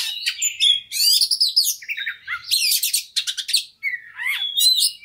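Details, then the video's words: Loud white-rumped shama fighter song meant to spur another bird: bursts of rattling chatter alternate with clear sweeping whistles and short twittering runs, with one brief gap near the end. "KACER NGOTOT PANCINGAN KACER CEPAT FIGHTER BONGKAR ISIAN"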